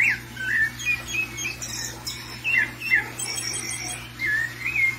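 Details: An agitated thrush (sabiá), excited after seeing another one loose, gives short clear whistled notes, some slurred down and some up, in quick bursts, with a few thin high chips and a faint steady hum.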